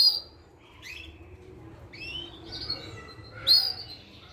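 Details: Portuguese Harlequin canary fledgling, thirty days old, producing a loose series of high twittering and slurred whistled notes, opening and ending with loud sharp chirps, steady faint background hiss.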